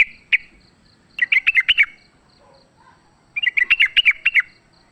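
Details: Wild sooty-headed bulbul in fighting voice, played as a lure: one sharp note, then a fast burst of about six bubbly chirps, a gap, and a second burst of about seven.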